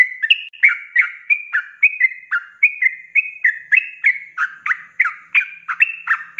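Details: Sooty-headed bulbul singing a fast ropelan sequence for cage-bird tutoring: over six seconds of evenly spaced, bright whistled notes, each with a short upward or downward flick, and no other noise.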